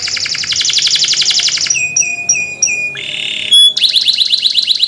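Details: A canary sings as a training lure recording: fast, high rolling trills, then a run of clear, sharp whistled notes about four per second, a buzzy phrase, and more trills.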